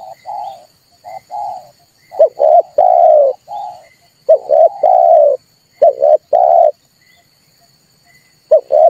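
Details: Lure recording of a red collared dove, used for trapping and to provoke calling: soft, quieter coos give way to louder, longer cooing phrases in uneven bursts, each note low and smooth, with no other sounds.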